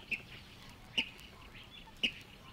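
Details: Water rail in the Matsalu reed beds, Estonia (1979 field recording), gives three short, sharp, high notes, spaced about a second apart, over faint background hiss.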